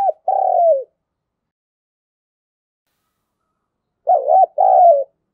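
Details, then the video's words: Decoy spotted dove calling to draw in wild birds; one drawn-out, slightly falling coo, a long silence, then a two-part phrase of a wavering coo followed by a longer mellow note. "Chim Cu Mồi/ cu gáy thúc gù dùng kích bổi hiệu quả"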